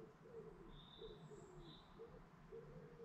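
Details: Lakeside dawn chorus in England's Lake District National Park, with a low cooing bird calling in quick repeated pulses roughly every half second and two short high whistled notes drifting over a constant low rumble.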